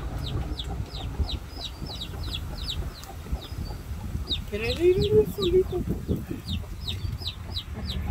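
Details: Chicks with their mother hen in a farmyard: a steady run of short, high, downslurred peeps, about three each second, broken midway by a lower, throaty clucking burst from the hen, over low background rumble.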